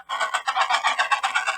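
An Adélie penguin gives a harsh, braying chatter of rapid throaty pulses, about seven per second, held at a steady mid pitch.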